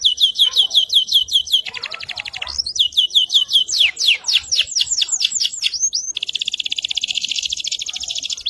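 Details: Canary of the AFS type, singing energetically as a model for other birds: rapid descending whistled notes, a lower buzzy trill, sweeping slurred notes, and finally a fast dense high rattle held for over two seconds.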